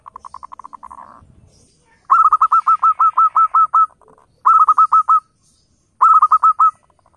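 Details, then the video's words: Local zebra dove, played as a lure to make wild doves answer: a soft rapid rolling run of notes, then three bursts of quick hooked cooing notes, roughly ten, six and five notes, with short silent gaps. "suara panggilan PERKUTUT LOKAL GACOR"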